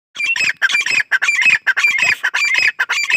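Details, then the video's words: Grey partridge, called Gora or Dakhni teetar, giving a harsh, rapid run of squawking notes about twice a second, each burst rasping and dense, repeated without pause through the whole stretch. "Gora Teetar ki Awaz | Dakhni Teetar voice"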